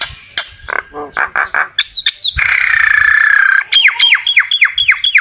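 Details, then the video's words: Common myna singing to call its flock: a varied string of short harsh notes, two high whistled down-slurs, a long buzzy rasping stretch, then a quick run of about seven repeated descending whistled notes. "tiếng chim sáo nâu hót gọi bầy"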